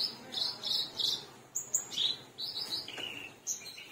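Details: Black-browed reed warbler singing actively, with short buzzy, rasping notes, a few piercing high whistles and a lower grating phrase near the end, given at irregular intervals.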